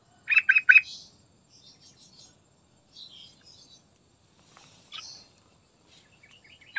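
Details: Sooty-headed bulbul song played as a lure to get other birds singing: a rapid burst of three rich bubbly notes, followed by scattered soft high chirps and a brief loud note at the end.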